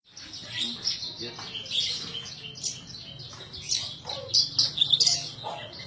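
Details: {'0': "Captive Horsfield's bush lark singing in the vigorous, nonstop gacor style: dense, high twittering and chirping with scratchy trills, loudest toward the end, with faint low background hum."}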